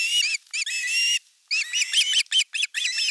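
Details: Osprey nest, Western Finland, 5 August 2024, during a fish delivery with the older chick attacking the younger: loud, drawn-out grating squeals followed by a string of sharp, strained whistled cries.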